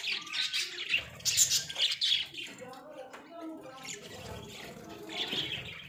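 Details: Pet Australian budgies in a small cage give a flurry of sharp, high chirps in the first two seconds, followed by lower, softer warbling chatter.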